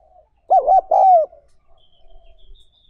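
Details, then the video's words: Spotted dove recorded for training newly caught wild doves: two loud, hooting coo phrases close together, each a rolling, wavering note followed by a longer falling coo, then quiet with faint background noise. "Tập Chim Cu Gáy Bổi"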